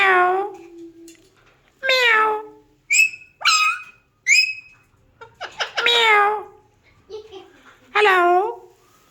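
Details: Mimicking Alexandrine parakeet mixing nasal, meow-like calls with short high whistled notes, uttered at irregular intervals with brief silences between them.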